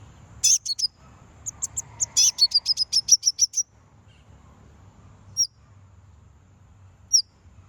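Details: Konin song played to provoke rival birds: a fast run of about a dozen high, bright, clipped notes repeated quickly for two seconds, then pauses broken by two lone chirps.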